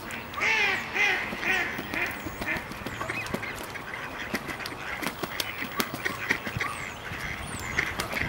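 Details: Ducks fighting on ice: a burst of harsh, nasal quacking calls in the first two seconds, repeated about twice a second, then scattered clicks and scuffling noises with fainter calls.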